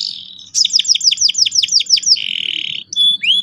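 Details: Lively singing canary, played to coax young birds into sharp rolling song: a series of about ten quick downslurred notes, then a steady buzzy note and clear high whistles.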